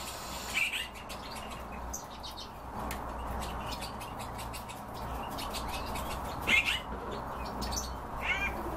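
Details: European bee-eater heard in brief rolling, burry calls, three louder outbursts separated by several seconds, with faint ticking notes and steady low background rumble.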